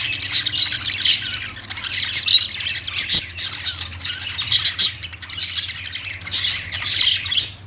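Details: Chattering budgies, called Australian parrots singing: bursts of shrill squawks and rapid twittering come in waves about every second, with a constant low hum underneath.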